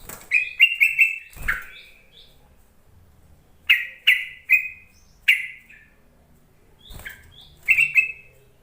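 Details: Yellow-vented bulbul calling to provoke lazy bulbuls into singing, giving a string of short, bright, gurgling phrases in quick bursts separated by brief pauses.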